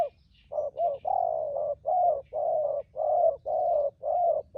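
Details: Spotted dove, a wild-caught decoy bird, in thúc gù urging coo: steady run of mellow coos, short and long notes alternating with brief gaps, nearly continuous over four seconds, faint bird chirps behind.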